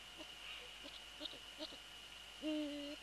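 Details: Eurasian eagle-owl, prey transfer then male on the nest, February 3, 2014, about 18:10. Soft scattered clicks and rustles lead into one longer, steady, tonal call near the end, with a continuous hum behind.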